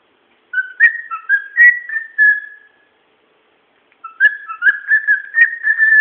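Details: A pet bird whistles two long phrases separated by a pause. The first climbs through several short notes into a sustained tone, and the second runs as a chattering, clicky whistle that carries on to the end.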